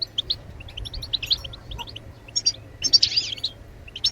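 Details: European goldfinch giving batbatat phrases meant to spur other birds into song: rapid chirpy twitters run together, then a brief rasping buzz before more sharp tinkling notes.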